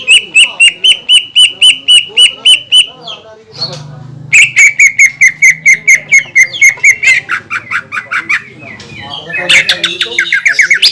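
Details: Greater green leafbird singing vigorously, a lure meant to provoke other leafbirds into song: a rapid string of sharp repeated notes, a brief pause over low hum, then another long fast series ending in higher, varied chattering phrases.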